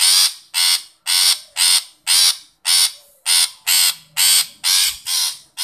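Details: Long-tailed shrike giving harsh calls to a shy shrike: continuous grating, buzzy rasps repeated roughly twice per second without break, loud and close.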